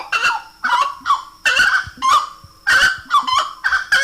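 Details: Slaty-breasted wood rail singing: loud, harsh honking phrases in quick bursts, each note dropping then rising, repeated in irregular clusters with short pauses between.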